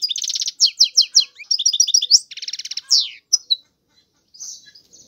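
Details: European goldfinch delivering buzzy trills and quick chirping phrases for about three seconds, then a few scattered notes, a pause and a soft nasal call.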